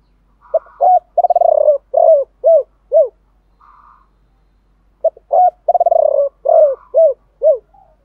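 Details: Male and female spotted doves calling in the 'chiêu ba hậu' style to spur other doves: two phrases of low, mellow coos, a quick stuttered burst followed by three or four separate arched notes.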